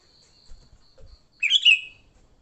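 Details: Sooty-headed bulbul fighting song for luring bulbuls: after faint low thumps, one loud gurgling whistled phrase of tumbling notes that slides downward, set against a faint steady high hum.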